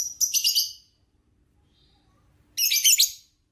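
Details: Lovebird long trilling chatter for training: two loud bursts of rapid high buzzy chattering notes, the first nearly a second long, the second about three-quarters of a second, separated by near silence with a faint chirp.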